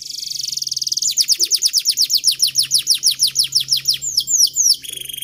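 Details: Young caged canary song used as a training model for other canaries to sing profusely with long rolls: a steady trill of high, downward-sweeping whistled notes, about six per second, ending in a brief higher flourish.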